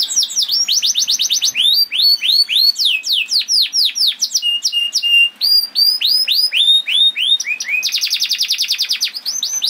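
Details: Canary song used to make canaries sing: long varied performance of fast trills, sweeping down-slurred whistles, a short level whistled note and a closing rapid repeated trill.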